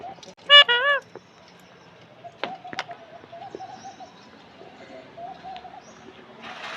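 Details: Alexandrine parakeet giving two loud, harsh, wavering squawks in quick succession near the start. Faint low cooing, scattered clicks and a brief rushing noise at the end follow.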